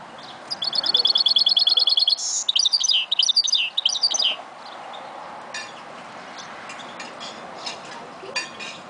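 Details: Goldfinch mule singing: a rapid, buzzy trill of evenly repeated high notes for about two seconds, then bursts of varied twittering phrases, followed by near quiet with a few faint clicks.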